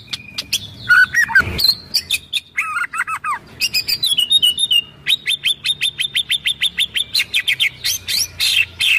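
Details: White-rumped shama giving kretekan song with 'shots' to stir other birds, 24 January 2023: mixed harsh and whistled phrases, then a long, even series of sharp ticking notes, about three per second, ending in rising whistles.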